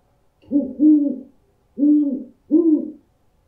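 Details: An owl gives a double hoot, then two more single hoots, all low and even in pitch, with short gaps between them. The recording is meant to frighten birds.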